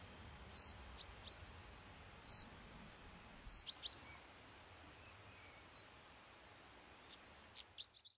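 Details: Woodlark (subspecies pallida) in Ronda, Spain, in April 2011, gives short, clear high notes in loose, irregular bursts, ending with a few quick rising slurred phrases over faint background hiss.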